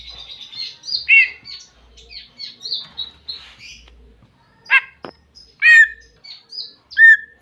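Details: Greater green leafbird calling a rival with a varied chattering song of quick high chirps and slurred notes, interspersed with louder downward-sweeping whistles and a sharp click.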